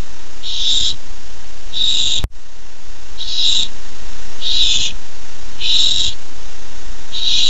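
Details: Barn owl owlet, nest, July 13, 2015, excited for a first treat: six rough, noisy hisses at irregular intervals, interrupted by a brief click and dropout around two seconds.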